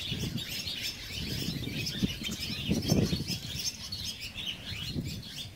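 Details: Barn swallows at a colony under a bridge in Mercer County Park, New Jersey. Many overlapping high chirps and twitters run continuously over a steady low rumble.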